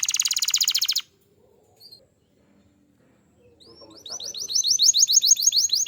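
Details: Canary song offered as a lure for other canaries: a second of fast buzzy trilling, a pause with faint soft notes, then a building series of quick rising-falling notes repeated about four per second.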